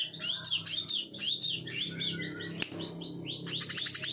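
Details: Plain-throated sunbird (kolibri kelapa) with a ngebren song of fast overlapping high arched notes, sweeping up and down almost without pause, ending in a short buzzy trill, above a steady low hum.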